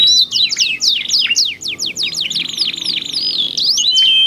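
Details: Canary pair answering each other, recorded as a lure so other canaries join in: rapid chains of descending whistled notes mixed with steady high rolls, dense and continuous.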